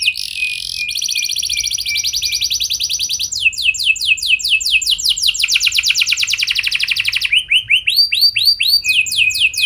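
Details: Lure song of a canary to set other canaries singing, built from a long buzzy roll, sweeping downward notes, a fast trill, then slower looping whistled notes at the close.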